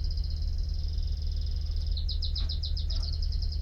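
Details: Canary song that opens with a long, rapid, level trill lasting about two seconds, then breaks into slower slurred notes dropping in pitch; steady low hum in the background.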